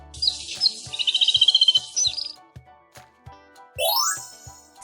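A canary sings a bright, high, rapid trill of about a dozen notes per second for two seconds, over a soft ticking music beat, then a rising sweep.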